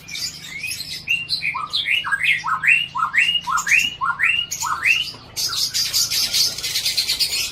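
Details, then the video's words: Aceh-bred white-rumped shama singing with mimicked phrases of other birds, such as scarlet-headed flowerpecker, bar-winged prinia and shrike: loud upslurred whistles repeated about twice a second, ending in a harsh, buzzy high chatter. "Murai batu Aceh Voldemort Cunam BF (CBF Aceh) isian cici merah ciblek tengkek"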